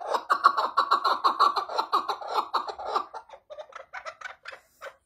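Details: Chukar partridge giving a loud, fast series of raspy clucking notes, about three per second, for three seconds, then slower, quieter, spaced chuck notes.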